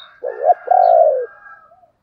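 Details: A decoy spotted dove giving its calling coo to lure others: a short, low, hoarse double note, then a longer, steady, slightly falling cooing note lasting about half a second. Recorded cleanly with no other sounds.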